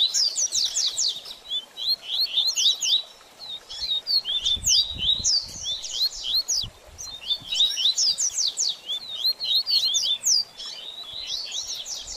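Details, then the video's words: Baderninha-style song of a double-collared seedeater, meant to warm up a bird after moulting: dense, continuous chatter of high swept notes and quick trills, with faint low rumbling in the background. "BADERNINHA DE COLEIRO Top Pra Esquentar Seu Coleiro Pós Muda De Penas!!!"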